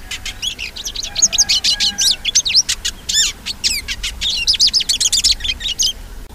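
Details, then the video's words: A hooded siskin sings a long, unbroken stream of high twittering notes, sharp chirps and rising and falling whistles, very fast and varied throughout, over a quiet background. "Canto do Pintassilgo Spinus Magellanicus"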